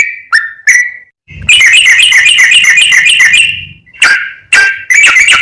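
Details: Yellow-vented bulbul in rapid, continuous training song meant to make other bulbuls excited and sing: a few short sharp downslurred notes, then a long dense rattling chatter for about two and a half seconds, closing with more clipped notes.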